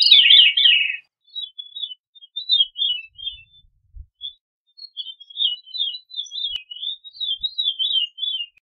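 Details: Veery with a loud, burry descending phrase at the start, followed by many faint, scattered whistled fragments wavering at a high pitch, and occasional soft low knocks.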